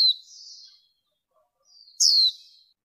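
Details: Female warbling white-eye in a 2023 lure recording, noise-reduced to stimulate males and draw wild birds. A buzzy trailing warble fades out, then one piercing high note sweeps downward into a soft chatter.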